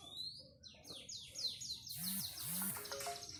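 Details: Panda canary singing: a run of rapid descending whistled sweeps repeated about five times per second, breaking into a bright buzzy rattle, with low hum underneath.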